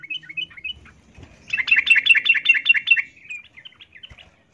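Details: Female yellow-vented bulbul in breeding condition calling to males: a few bright chirps, then a fast burst of about ten harsh, bubbling notes over a second and a half, trailing into softer chatter.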